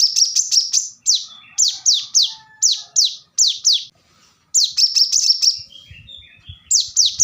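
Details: Loud, dense burst of plain-throated sunbird song, the korlap tembakan rapat style for tutoring songbirds: clusters of piercing downslurred chips follow one another almost without pause, with a few softer lower notes between.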